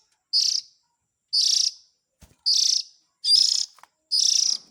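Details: Begging chick sound of the Oriental magpie-robin used as a lure for parents: five harsh, hissing bursts repeated about once a second, with a small click in one gap.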